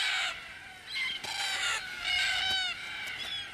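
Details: Red-tailed black cockatoos along a tree-lined watercourse on the Australian desert edge give harsh, grating, rolling calls in overlapping bursts, several birds calling over a few seconds.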